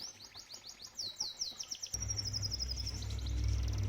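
Canary song: rapid high trills and repeated sweeping whistles around four to six kilohertz, several notes per second, over a steady low rumble of water.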